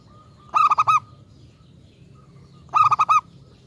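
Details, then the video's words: Local zebra dove singing loudly, used as a lure to get other zebra doves singing in reply: two bursts of four or five quick, clipped, ringing coos about two seconds apart, with a faint steady tone behind. "Perkutut lokal gacor RAJA PIKAT ahlinya bikin semua burung perkutut GACOR NYAUT"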